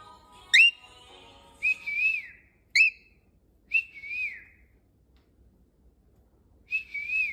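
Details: A pet cockatiel being taught to whistle gives clear whistles: quick upswept notes and longer, slightly wavering tones, with a faint voice early on.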